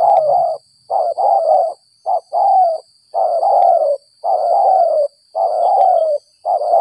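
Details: Spotted dove lured after rain, cooing in the stuttering style called gagap 6 mata: low, soft, warbling coos broken into short groups of one or two notes, repeated steadily with brief silent gaps between phrases.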